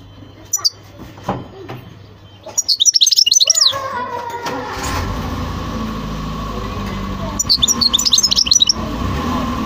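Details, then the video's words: European goldfinch delivering two separate bursts of rapid, tinkling twitters a few seconds apart, with isolated chirps at the start and a low engine-like rumble throughout. "تغريد حسون خلو"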